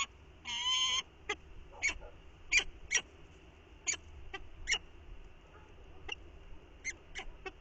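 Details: Falcon changeover at the nest on a windy morning as the female relieves the incubating male. One long, whining call, then a series of sharp short ticks spaced about half a second apart.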